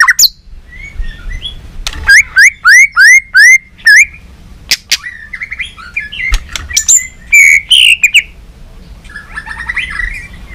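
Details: Training session of a White-rumped shama singing competitively with tail flicking: a run of repeated rising whistles, sharp clicks, then high descending phrases and a soft warble at the close.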